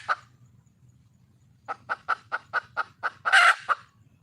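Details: Red junglefowl hen calling for a male in the wild: an opening squawk, a pause, then about eight evenly spaced clucks building to a loud, rasping squawk and one trailing cluck.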